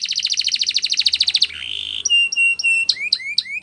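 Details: Spanish Timbrado canary singing for training: a fast, even trill of pulsed notes, a short falling slur into a long steady whistle, clear sustained whistled notes, then rising swept chips.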